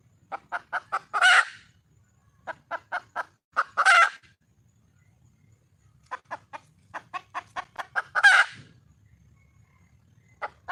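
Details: Wild red junglefowl hen calling for a male: three bouts each of several quick clucks building into a loud, rasping squawk, with pauses between.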